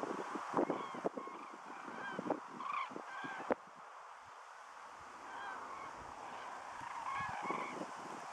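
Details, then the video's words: Migrating flock of common cranes at Lattomeri, Pori, Finland, 9 September 2012: overlapping trumpeting, rolling calls, many voices at once, with a few wind or handling thumps. "Kurkiparvi / Cranes"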